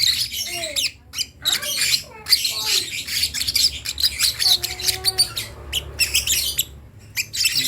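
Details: A baby lovebird learning to call: harsh chattering squeaks in irregular bursts, mixed with a few thin gliding whistled notes lower down, and a low steady hum underneath.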